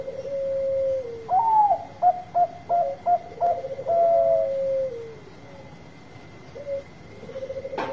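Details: Bangkok zebra dove with a powerful voice, played to stir reluctant birds: a long falling coo, then five quick, evenly spaced hooted notes over a trilling undertone, a sustained coo, a pause, and renewed purring coos. A thin steady tone persists.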